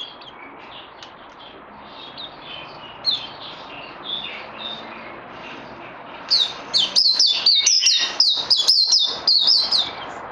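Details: Cage bird in training, 18 May 2020: soft, scattered chirps at first, then from about six seconds a loud, fast string of piercing whistled notes repeated roughly twice per second.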